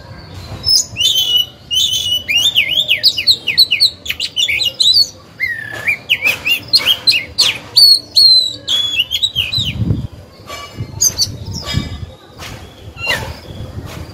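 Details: Caged oriental magpie-robin decoy singing to lure birds and train young ones. Rich, swooping whistled phrases and sharp chips fill the first half, followed by sparser notes and soft knocking sounds.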